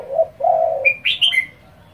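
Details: A spotted dove gives rapid provoking calls aimed at other doves. A quick low coo leads into a drawn-out hollow note, followed at once by sharp high chirping notes.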